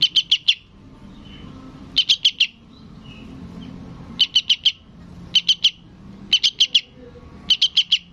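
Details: Seven clusters of three or four high, piercing chirps from a sooty-headed bulbul chick calling its parent, separated by short pauses of faint background noise.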